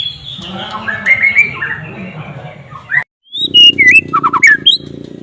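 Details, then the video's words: Rich varied song from a white-rumped shama with mimicked flycatcher notes, with mixed chatter and slurred whistles, a brief silence, then sharp twisting whistles and quick chips over a steady low hum. "MURAI BATU ISIAN SIKATAN LONDO"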